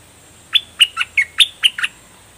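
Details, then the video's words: Seven crisp, downward-sliding whistled notes in a tight row, roughly one every quarter second. The singer is a bulbul called nok dok taeng, fully feathered, delivering a double-style phrase over a faint hum. "เสียงนกดอกแตงเจ้าเพชร Ep.8 ขนเต็มแล้ว เบิ้ลล้วนๆ หรอยหนัด!!! Burung merbah lekir"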